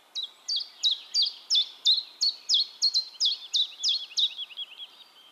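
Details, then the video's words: Common chiffchaff in Heemskerk, the Netherlands, singing into a RØDE VideoMic. A steady string of about thirteen loud, high, two-tone notes rocks up and down at close to three per second and fades at the end. "Chiffchaff Singing"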